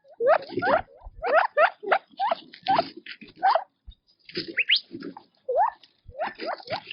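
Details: Quail feeding in their natural habitat: busy overlapping upslurred chirps from several birds, with a short lull near the middle before the chatter resumes, and light scuffling noise underneath.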